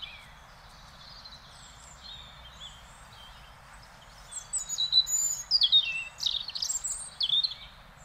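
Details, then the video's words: In the Netherlands a European robin sings a rich, rapid phrase of high, sweet warbles and thin squeaky notes over about three seconds, preceded by softer scattered twitters. "One Hour Relaxing Birdsong: European Robin"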